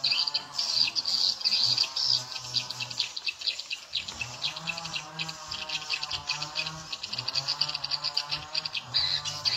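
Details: Edible-nest swiftlets responding to a lure sound played to attract them: continuous shrill twittering with rapid chirps, a brief lull near four seconds, then a steady low hum returns.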